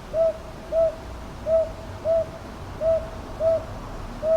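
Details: Northern boobook in Ichijoji, Kyoto's Sakyo Ward, 22 May 2023, captured on a TASCAM DR-100MKIII: seven short, even hollow hoots at a steady pitch, loosely paired and spaced under a second apart, with faint low rumble behind.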